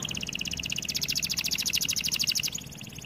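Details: Training song of a canary: a dense rapid rattling trill held for over two seconds, slightly rising in loudness, with low hum underneath.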